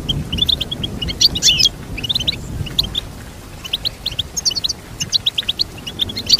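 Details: Goldfinch chirps arrive in quick, regular series, broken by a dense tangled twitter at the start and tinkling phrases later, over faint low hum.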